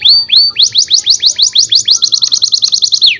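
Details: Canary singing tutor song for young birds: two rising whistled slurs, then a steady rapid series of sharp upward-sweeping chips, about six per second, ending on a falling slur.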